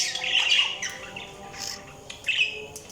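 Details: Budgerigar chirping: a loud, warbling, scratchy chatter at the start, then softer squawky notes and a few sharp clicks, with a final short twittering burst near the end.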